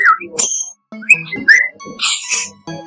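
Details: A pet budgerigar named Pedro chatters rapid mimicked words and phrases ("hello", "what you doing"), with sharp whistled chirps and buzzy, raspy syllables.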